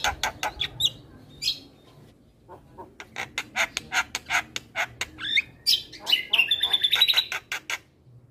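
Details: Javan myna song meant to be played each morning to young mynas: scattered harsh notes, then a fast run of rasps and clicks ending in high whistles.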